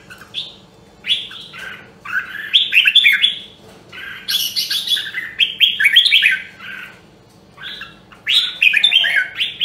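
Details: Rare red-whiskered bulbul from Nam Dong, Hue, in voice training: bright chirping phrases in three bursts separated by short pauses, each a rapid run of warbled, rising and falling notes with some high sharp accents.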